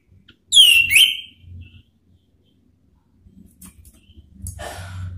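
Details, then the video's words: Orange-headed thrush song used as a lure to call and provoke rivals: one loud, clear whistled phrase sliding down then rising, followed by quieter scratchy notes and low background rumble. "SIULAN ampuh ANIS MERAH MEMANGGIL LAWAN ¦ PANCINGAN NGEPLONG"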